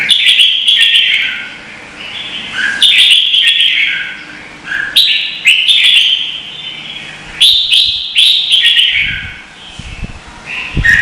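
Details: Red-whiskered bulbul singing contest, Vietnam, used to stimulate and train birds: repeated bright warbled phrases in groups separated by short lulls, some notes falling lower, faint clicks near the end.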